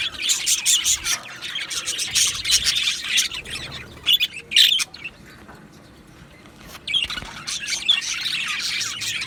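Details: Two male Budgerigars: busy, grating, high warbling chatter, a squawky burst near the middle, a lull, then the chirping starts up again.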